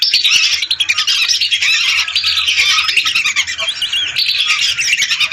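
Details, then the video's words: Lesser whistling ducks, hundreds at once, recorded as a lure; countless shrill whistled notes pile into an unbroken, wavering chorus, swelling and easing slightly over about five seconds. "Suara burung Belibis RATUSAN untuk pikat"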